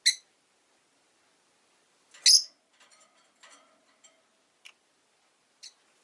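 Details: Two loud, squeaky chirps from Rosy-faced lovebirds, five birds caged at a window on an afternoon, followed by faint clicks and a couple of softer calls.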